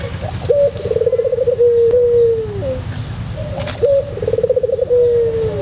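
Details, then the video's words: Tutor recording of a white pelung Barbary dove in song: two low, drawn-out coos, each starting with a rolling, pulsing trill and ending in a smooth falling note, with a faint drone in the background. "masteran puter pelung putih manggung"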